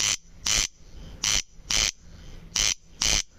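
A corn crake gives its dry, rasping crex-crex, harsh doubled notes repeated about once a second, with a faint hum behind.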